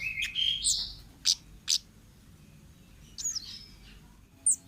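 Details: Orange-headed thrush from the wild, opening with a loud rich whistled phrase that climbs upward, then a few sharp isolated high notes and a quick downslurred whistle, with a faint low hum behind.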